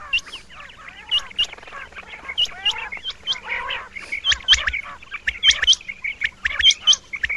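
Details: Several male Rain Quails calling, their ringing paired high notes recurring in irregular bursts over continuous buzzy chatter and chirping from a crowded flock.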